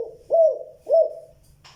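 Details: Spotted dove calling, a good 'giọng đồng', two-note with a cut-off ending. Two deep, rounded coos about half a second apart, each rising then trailing off, ending with a brief rustle.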